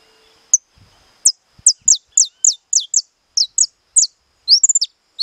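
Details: Captive saffron finch in estalado song, delivering a long series of sharp, downward-slurring high notes about every quarter second, ending in a quick rattled burst and a rising note, with light thumps early on.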